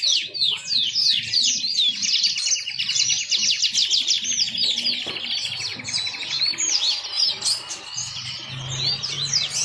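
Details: Yellow-fronted canary, a seed-eating finch kept as a pet songbird in Indonesia, pours out a lively twittering song of quick high slurred notes, with a dry rapid trill running underneath for several seconds and a faint low hum.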